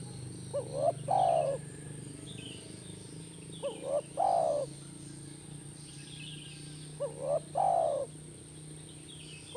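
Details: Repeated call of a spotted dove, played to get a caged bird to respond. Three evenly spaced phrases roughly every three seconds: a quick rising stutter and a longer, soft, falling coo, over a low rumbling hum.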